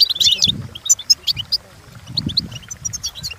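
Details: Goldfinch song for teaching birds to imitate: opens with a loud buzzy twitter, followed by sparse high chirps and whistled notes over a soft low background murmur.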